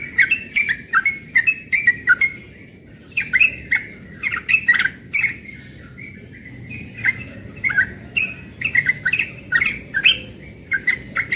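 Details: Morning song of a young yellow-vented bulbul in ropel style, a continuous stream of quick, bubbly chirping phrases with short breaks between bursts.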